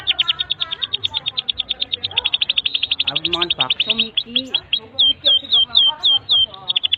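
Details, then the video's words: Long continuous canary song used to tutor young canaries: a very fast run of sharp high repeated notes that slows into slurred, looping phrases with lower warbles, ending in spaced curling whistles. "Kenari GACOR PANJANG INI Cocok untuk Masteran KENARI PAUD dan Kenari Macet BUNYI"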